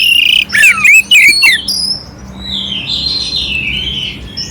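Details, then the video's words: Oriental magpie-robin song with rough fill notes, used as a tutor recording to rouse a quiet magpie-robin: a loud burst of sharp chattering notes and falling whistles, then a buzzy, wavering phrase trailing off. "Suara Kacer Jernih isian kasar Cocok untuk masteran untuk menaikkan emosi kacer dingin"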